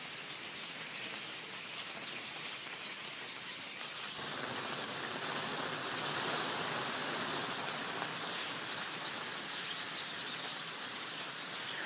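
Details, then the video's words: A huge night flock, perhaps thousands of birds, swarms a stand of trees and bamboo in Fayetteville, Arkansas, on a late night in September 2012. Dense, constant chirping and a windlike rush of countless flapping wings swell louder, with no actual wind. "I mean, can You hear how many wings that is flapping?"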